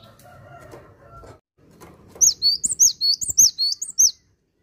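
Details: Cinereous tit (Parus cinereus) singing about ten sharp, high whistled notes in quick paired phrases over two seconds, after a stretch of low background rumble.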